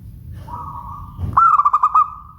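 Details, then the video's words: Local zebra dove giving a soft level lead-in note, then a loud run of about six rapid pulsed coos ending in a lingering trailing tone, over faint low rumble. "Suara Bening Burung Perkutut LOKAL"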